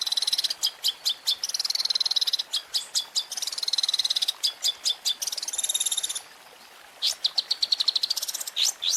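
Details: Long-tailed shrike (cendet) masteran with champion 'isian' fills: fast runs of sharp high clicks and chattering trills, a brief pause, then a longer run of rapid high notes.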